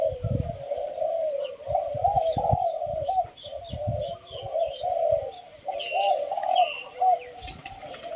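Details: Kept Spotted Doves coo continuously, phrases overlapping in a gentle, undulating stream, while brief higher chirps of other small birds and occasional low knocks sound in the background.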